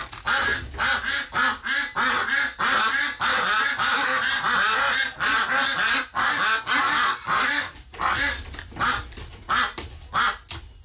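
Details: Ducks in a flock reacting after a flock member died in the hospital, recorded on a live stream, November 30, 2018; rapid, choppy bursts of many overlapping quacks, surging and dipping roughly every second.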